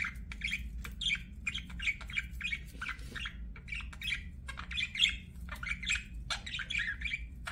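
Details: Budgerigar chirping in short, bright, squeaky notes repeated steadily, often in quick pairs, with a steady low hum in the background.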